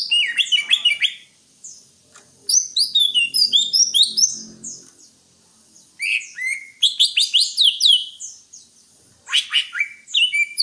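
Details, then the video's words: Greater green leafbird delivering three long bursts of fast, varied twittering and downslurred whistles separated by short pauses, with a faint low murmur in the background. "Suara burung Cucak Hijau"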